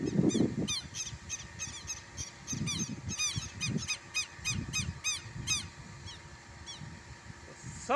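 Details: Southern lapwing at a smallholding in Brazil, upset by a visitor; dense bursts of rasping notes, some overlapping as if from more than one bird, over low thumping and rustling, ending in a brief crackle.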